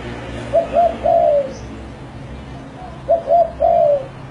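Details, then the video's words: Spotted dove song with two clear cooing phrases, each of two short coos followed by a drawn-out descending coo, separated by a pause of about two seconds over low steady background noise. "SUARA EMAS BURUNG TEKUKUR"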